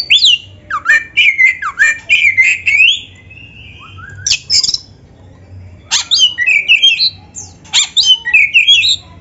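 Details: Singing Oriental magpie-robin, meant as a tutor song for beginner or quiet magpie-robins: dense bursts of looping whistles and harsh chatter, a quieter gap near the middle, then more fast whistled phrases.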